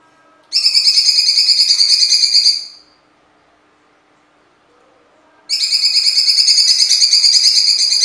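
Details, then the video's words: A Blue-winged Leafbird (cucak cungkok) in full, harsh song, used as a tutor recording for songbirds: two bursts of harsh, buzzy, rapidly repeated notes, each about two seconds long, with a short quiet pause between them. "suara cungkok"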